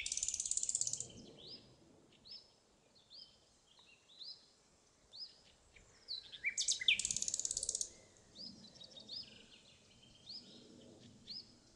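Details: Common nightingale, 28 April, Pszczyna county, southern Poland, singing rich, varied phrases of whistles and fast rattling trills, with rapid bursts of repeated notes and short pauses between phrases.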